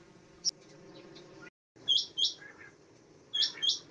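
A common quail gives short, sharp liquid notes in quick pairs, repeated after a brief pause over a low background hum.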